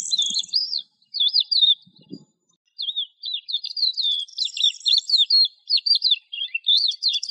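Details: Resident desert-nesting lark singing a high, fast stream of chirps and slurred whistles, broken by a brief pause and a faint low thump before resuming more densely.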